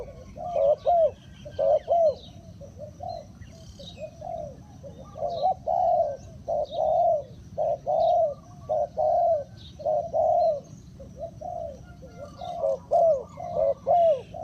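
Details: Spotted dove used as a decoy to lure wild birds, giving a steady series of low, mellow coos roughly once a second, with faint higher chirps of other birds behind.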